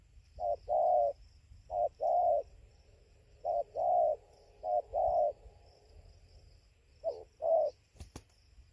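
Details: At 5:20 am near a roosting tree in Gia Lai, Vietnam, on 24 November 2020, a spotted dove repeats paired coos, a short note then a longer one, about every second and a half, ending with a sharp click.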